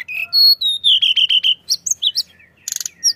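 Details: Pied bushchat, sung as a lure for other birds: a few level whistled notes stepping downward, a quick series of repeated chirps, then high clipped notes and a short dry rattle.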